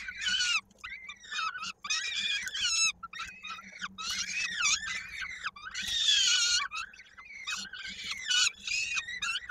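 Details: A peregrine falcon chick in its nest in Koszalin, Poland, on 16 May 2022, being fed by its mother with a leg stuck in a beak, screams loudly and harshly in long insistent bursts, barely pausing.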